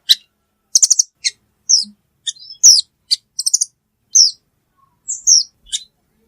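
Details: Velvet-fronted nuthatch calling: scattered bursts of very high, sharp chips and short rapid trills, mixed with brief downslurred whistles, in uneven bouts about every half second to second. No other sounds stand out.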